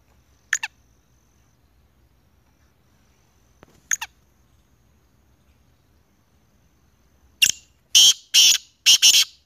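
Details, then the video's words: Black francolin call: two short, sharp double notes spaced a few seconds apart, then a loud, harsh, rapid series of four broad grating notes at the end, over a quiet background. "kala teetar ki awaz kala teetar Sounds"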